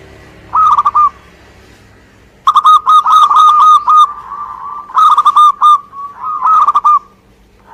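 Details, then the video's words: Energetic song of a local Indonesian zebra dove: repeated rolling, trilled coos at mid pitch in several runs of varied length, with high chirping from other birds in the background. "Suara Gacor perkutut lokal"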